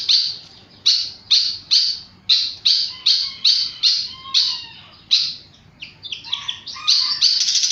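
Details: Flycatcher singing very actively: about a dozen loud, sharp, high downslurred notes in quick succession, some with faint lower whistles beneath, ending in a rapid twittering trill.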